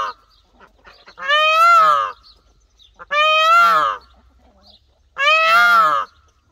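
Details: An Indian peafowl (peacock) gives three loud, nasal, wailing calls, each just under a second long, rising slightly before falling away, spaced about two seconds apart in a quiet setting.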